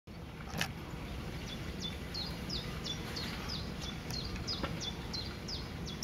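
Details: A Common kingfisher (Alcedo atthis) recorded briefly in the Lewitz, Germany, calls: a quick series of thin, high, sharply falling whistles, about two or three a second, over a steady low rumble of wind.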